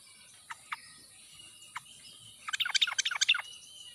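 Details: Sooty-headed bulbul in the wild ngalas style, played as a lure to prompt quiet birds to sing: a few isolated sharp notes, then a dense one-second burst of rapid, bubbly chirps.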